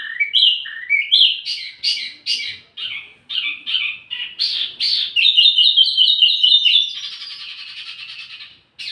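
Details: Wambi mini bird, recorded as lure and master song for tledekan: varied rising whistles and sharp chips in quick succession, then a fast rattling chatter of clipped notes, fading into a thin buzzy trill near the end.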